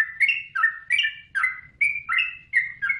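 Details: Yellow-vented bulbul song for training songbirds: about eight quick, gurgling, downward-slurring notes in three seconds, each a rich liquid chirp, with a faint low hum behind.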